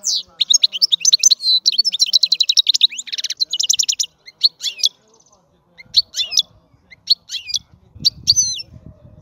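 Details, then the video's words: European goldfinch pouring out a rapid, high, jingling song with trills and twitters for about four seconds, then slower scattered chirps over a low rumble. "الحسون - هذا الطائر يغني. بأجمل صوت موجود في البرية"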